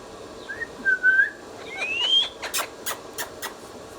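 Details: Pet ringneck parrot, a talking bird, giving two clear whistled notes, the first level and the second sliding upward, followed by a run of sharp clicking taps; quiet room background.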